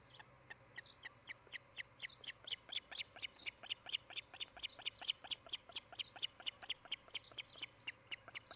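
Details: Osprey of a nesting pair at their nest in Charlo, Montana, on 16 July 2018, early afternoon: a long run of sharp, high whistled chirps, roughly two per second, steady and insistent, over a quiet background.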